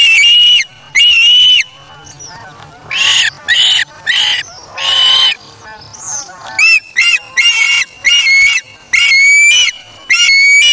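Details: Osprey chick on the Charlo nest, August 3, 2017, taking a fish from its parent; insistent, high whistled calls in irregular bursts, some short and clipped, others drawn out.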